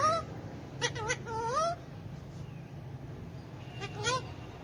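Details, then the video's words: Pet hand-tame Alexandrine parakeet kept with ringneck parakeets, talking in Urdu/Hindi: a couple of short words, then a rising whistled, wavering phrase, a quiet gap and one more brief inflected word; low hum behind. "Alexandrine Parrot Talking / Hand Tame Talking Alexandrine Parrot"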